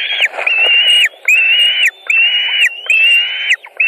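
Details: At a Latvian white-tailed eagle nest, June 2019, while a fish is passed over and eaten: loud, long, even whistled notes, five in a row, each nearly a second long and separated by short gaps.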